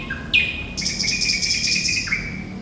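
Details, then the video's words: Sikatan Londo, the thrush nightingale, gives a loud upslurred whistle followed by a long harsh, buzzy rattle held for over a second, ending with a short lower note; soft hum underneath. "Sikatan Londo Thrush Nightingale Gacor"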